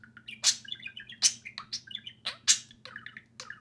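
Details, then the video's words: Two budgerigars playing and talking in their outside time: loud scratchy bursts alternate with soft warbling trills and short chirps, a strong burst roughly every three quarters of a second, over a steady low hum. "Two social parakeets (budgerigars) play and speak"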